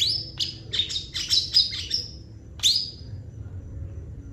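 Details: Long-tailed shrike in busy song rich in mimicked phrases: a high thin whistle, a rapid run of sharp chirps and squeaky notes, a pause, then one more rising whistle, with faint low hum beneath.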